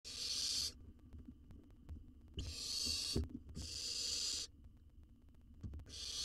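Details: Wild owl nestling in a research nest box in Israel, fed and swallowing a jird whole, gives four long, harsh, breathy hissing bursts, each under a second, over low thumps and rustles of movement in the box.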